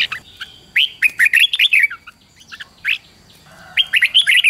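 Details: Red-whiskered bulbul song for training young birds: quick bursts of loud, warbling, slurred whistled notes in a rapid phrase, a pause with a few scattered notes, then another bright warbled phrase.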